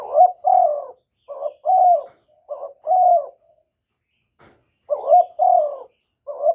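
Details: Decoy spotted dove cooing to excite newly kept or wild doves; mellow repeated phrases, each a rough stuttering opener followed by a smooth sustained coo, five phrases with brief silences between, no other sounds.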